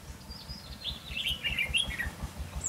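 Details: Red-whiskered bulbul used as a decoy bird during trapping, singing a run of bright, warbled notes with quick rising and falling phrases; a low rumble runs underneath.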